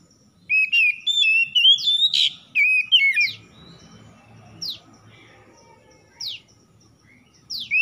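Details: Oriental magpie-robin (kacer) singing a morning-dew lure song meant to revive stressed birds into singing: rapid varied whistled phrases climbing and sliding for three seconds, then sharp, descending notes spaced a second or more apart, with faint background noise.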